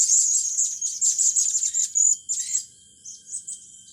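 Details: Blue-crowned hanging parrot with young birds under training. A continuous stream of very high, thin, twittering and hissing notes pulses rapidly for over two seconds, then fades into softer squeaks.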